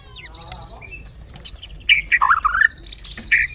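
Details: White-rumped shama (murai batu) singing as a lure song to provoke other birds: varied whistled phrases, sharp downslurred notes and rapid chattering trills, with faint background hiss.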